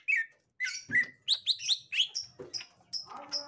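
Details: Green leafbird of the gotri type meeting a young wild green leafbird: slurred whistled notes near the middle range, then a quick run of rising chirps and higher thin squeaky notes, with short pauses between bursts.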